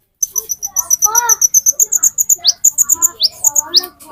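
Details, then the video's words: An olive-backed sunbird, the metallic konin used as a lure for green konin, gives a fast, even chain of piercing high notes, about six per second. Lower warbled sounds and upward-swept chirps are mixed in. "Burung Konin Metalik Pancingan Konin Ijoan"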